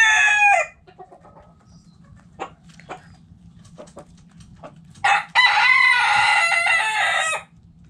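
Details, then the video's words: Backyard coop with hens and roosters: a crow ends at the start, quiet scattered clucking follows, then a long, loud, harsh rooster crow rises and holds for about two seconds. "Backyard Chickens In The Coop Relaxing Video Sounds Noises Hens Clucking Roosters Crowing!"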